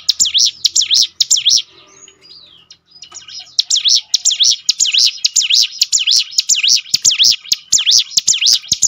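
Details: Song of a prinia (ciblek gunung) for training birds to sing more often: rapid, shrill, swooping notes about twice a second, a short quiet pause with a faint slurred note, then the fast series resumes.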